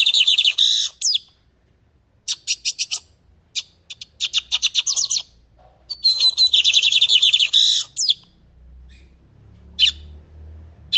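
A Lined Seedeater sings high, buzzy phrases of rapid clicking trills and sharp chips in bursts of one to two seconds, with short pauses between.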